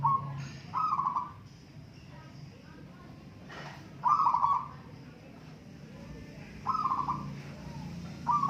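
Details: Local zebra doves in a singing contest, repeated bubbling cooed phrases every two to three seconds, with faint voices and a low rumble behind.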